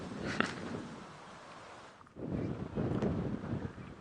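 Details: Early-morning safari drive in the wild with wind and low vehicle rumble, brief knocks and handling noise, and no clear animal voice.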